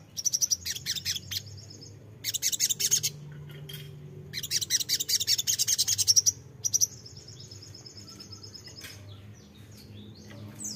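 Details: Crimson sunbird (sogok ontong) singing clustered bursts of high rapid ticking notes, followed by a thin buzzy trill and sparse thin calls toward the end.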